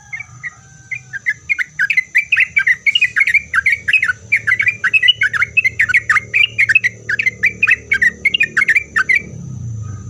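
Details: Lively Sooty-headed bulbul song meant to draw replies from other bulbuls: a long, fast chatter of bubbly, slurred notes rising and falling, kept up almost without pause for about eight seconds after a few short opening notes.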